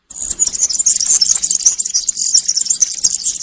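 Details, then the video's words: European serin singing campero (country-style) song in woodland, a recording meant for young serins to copy during moult: a continuous, very high, jingling stream of rapid buzzy notes without pause for over three seconds. "𝗥𝗘𝗖𝗟𝗔𝗠𝗢 𝗩𝗘𝗥𝗗𝗘𝗖𝗜𝗟𝗟𝗢 𝗖𝗛𝗔𝗠𝗔𝗥𝗜𝗡 𝗖𝗔𝗠𝗣𝗘𝗥𝗢. 𝗘𝗗𝗨𝗖𝗔𝗥 𝗬 𝗠𝗢𝗧𝗜𝗩𝗔𝗥 𝗩𝗘𝗥𝗗𝗘𝗖𝗜𝗟𝗟𝗢. 𝗖𝗔𝗡𝗧𝗢 𝗖𝗛𝗔𝗠𝗔𝗥𝗜𝗡 𝗘𝗡 𝗘𝗟 𝗕𝗢𝗦𝗤𝗨𝗘"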